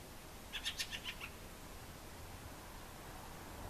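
A Fieldfare gives a quick burst of about six harsh, chattering chack notes in under a second, then falls silent against a low background hiss.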